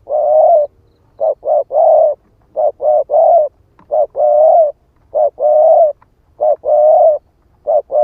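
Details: Spotted dove ('ức chẻ' type) cooing as a decoy lure: repeated phrases of two or three short hollow notes capped by a longer coo, delivered rhythmically over several seconds with no other sounds.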